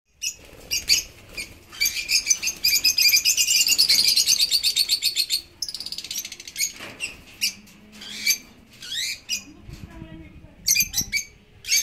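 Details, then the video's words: African lovebirds giving shrill, rapid high chattering with squeaky trills and sharp chirps, dense in the first half, then broken into scattered short bursts and pauses. "African love birds"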